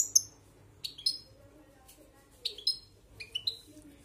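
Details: European goldfinch in the hand, 'marcando': sparse high chirps and short twittered notes in a few separate bursts, with a faint voice and low background murmur between them.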